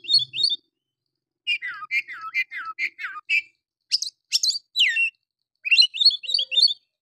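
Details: Rough, aggressive oriental magpie-robin song meant to stir up other males. Bursts of descending whistled notes repeat in quick series, followed by harsh buzzy high strokes and a final rapid run of bright whistles.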